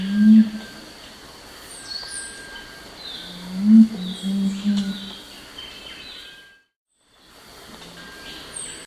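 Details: Crestless Curassow song, a low humming often given at night: brief deep hums at the start, a longer low humming phrase near the middle and another at the end, over faint high chirps and thin background noise, with a short silent gap.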